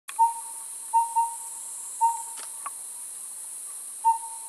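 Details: Collared owlet (Glaucidium brodiei) at its nest during incubation, Liuyi Mountain, Taiwan, 11 May 2019, spring breeding season: soft, mellow whistled toots on one steady pitch, five notes unevenly spaced with a close pair, over faint hiss and light knocks.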